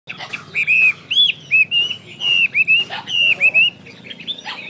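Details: Chinese hwamei singing loud, clear whistled phrases, each a rising-then-falling slur, given in quick bursts separated by short pauses; a faint low hum underneath.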